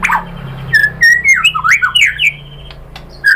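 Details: White-rumped shama song played to provoke a rival into singing: a rich run of whistled notes sliding up and down, some sharp clicks, then a pause and a final whistle.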